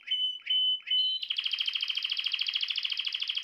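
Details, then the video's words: Canary song meant to make a female canary adopt the mating posture: three short whistled notes, then a long fast rolling trill of evenly repeated notes. "تغريد كناري يجعل أنثى الكناري تاخد وضعية التلقيح بسرعة"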